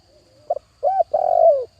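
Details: Spotted dove used as a lure bird, cooing to call in others: a short double coo, then a drawn-out mellow coo and a longer rolling, slightly descending coo, low and soft, with a faint steady hum behind.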